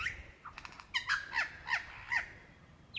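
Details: Male lyrebird in Dandenong Ranges National Park, Victoria, Australia, February 2016, seeking a mate: a series of short, harsh, descending notes repeated roughly every third of a second, then a single high sweep.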